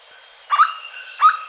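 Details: Hooded berryeater in Caparaó National Park, Alto Caparaó: two loud, harmonically rich notes about 0.7 seconds apart, each with a sharp upward flick, over a quiet natural background.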